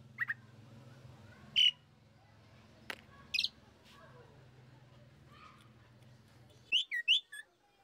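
Asian pied starling giving scattered, sharp whistled and chattering notes, singly and in quick pairs, over a low steady hum that cuts out near the end.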